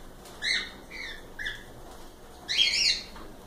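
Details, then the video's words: Cockatiels giving three soft, downward-sliding chirps, then a louder, rough, drawn-out squawk. "Calopsitas Live Canto dos pássaros"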